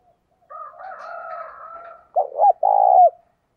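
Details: Decoy spotted dove cooing to attract wild doves: a soft wavering, drawn-out note first, then two short bouncy coos and one long loud coo falling away at the end.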